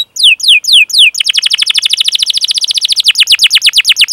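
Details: Canary calling chirps for training young birds to sing: three slow, sharply falling whistles, then a fast, even series of short chirps rolling on without pause.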